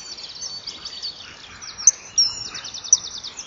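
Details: Common kingfisher pair, recorded by a nest-wall camera at 07:20 on 2 March 2014, vocally driving off an intruder: fairly faint, rapid high-pitched trilled series of repeated notes with a few sharper, louder piping 'chip' notes.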